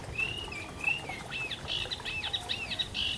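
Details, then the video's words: At the London Wetland Centre a Eurasian reed warbler sings: drawn-out whistled notes at the start, then a jerky, scratchy chatter of repeated rising and falling elements. "reed warbler"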